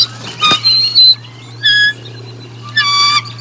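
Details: Bald eagle at the Decorah North nest during a feeding, 04 01 2022, giving loud, piercing, harmonic whistled notes in three separate bursts, each under half a second, with quiet hum between.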